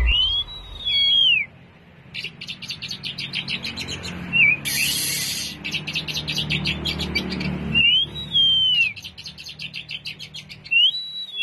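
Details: Oriental magpie-robin, a harsh-toned bird, singing to provoke other magpie-robins: loud rising-falling whistles alternate with rapid harsh chattering bursts, plus a broad noisy hiss near the middle, all high-pitched over low background hum.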